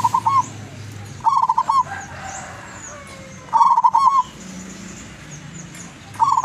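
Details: Local wild zebra dove of Tuban, East Java, singing keenly as a lure bird: four spaced, bubbling coo phrases of fast rolling notes, each closing on a longer note, with faint clicks and distant chirps.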